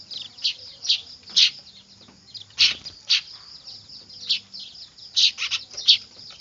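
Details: Manyar (weaver) nestlings making a racket, recorded for use as a bird lure; sharp high chirps and raspy bursts come in uneven clusters over a constant thin chatter.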